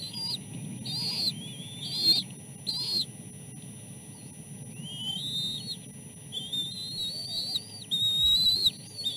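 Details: Chicks beg while being fed fish at the nest, the oldest fending off two others; high whistled notes, some short and clipped, others long and slightly rising, with a soft background hum.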